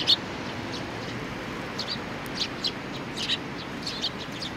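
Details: Sparrows with a chick, recorded on 3 July 2019: short, high, sharp chirps scattered irregularly, some in quick pairs, heard against a steady background hiss.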